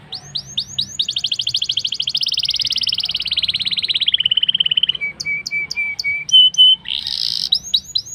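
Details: Black-throated canary in continuous rolling song, played to get canaries singing: a few sharp notes open a long fast trill that slowly drops in pitch, followed by steady flat whistles and a burst of high buzzy notes.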